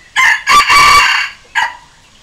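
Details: Red junglefowl decoy rooster crowing, a call used to lure and challenge wild junglefowl and to train young decoy birds: one harsh, multi-part crow with a sustained middle, then a short clipped final note, in otherwise quiet surroundings.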